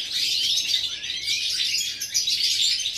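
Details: European goldfinch singing, recorded 11 September 2018: a dense, continuous stream of high, tinkling twitters and chirps with quick trills and short rising whistles, hardly pausing across the whole stretch.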